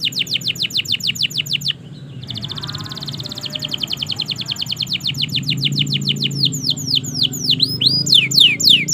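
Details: Canary singing long and steadily, used as a master recording to prompt silent canaries to sing: repeated descending whistled sweeps, then a rapid buzzy trill, then more swooping notes, over a low background hum.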